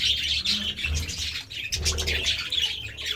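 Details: Budgies pecking at seeds and vegetables keep up a dense, high, scratchy warble of chirps, with faint low cooing beneath.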